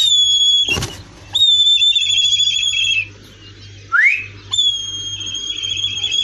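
Black kite giving long, high, steady whistles with a slight quaver, broken by a short rising squeal and one sharp knock.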